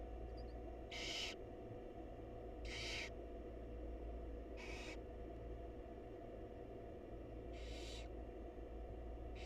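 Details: Barn owl mother feeding her chicks in a wild nest box; five rough, airy screeching hisses at uneven intervals, separated by pauses of one to three seconds, over constant low hum.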